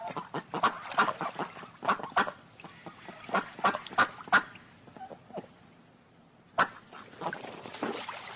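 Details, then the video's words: Several ducks give rapid, raspy quacks in uneven bursts, a dense noisy chorus that thins out in the middle and picks up again after one loud sharp call. "Funny sounds of ducks"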